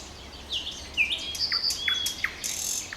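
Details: Brief nightingale phrase: a rising whistle, a long level pure whistle, then a few short down-slurred notes and a buzzy ending.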